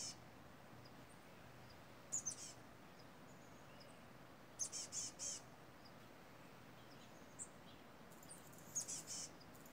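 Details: Crows in misty redwood trees on a mountain, making a commotion with a hawk sitting nearby: short clusters of two or three rough, hoarse caws separated by quiet gaps, with light wind-chime tinkles.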